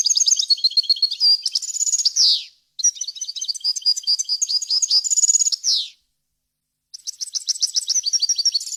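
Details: European goldfinch delivering long phrases of varied song, a faultless recording for teaching young birds: dense high twitters and trills, each phrase ending in a buzzy descending sweep, separated by short pauses.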